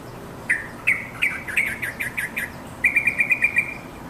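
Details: Yellow-vented bulbul calling its companions: a bright chirp near the start, then a quick run of short bubbly notes, a pause, and a second tight burst of rapid clear chirps.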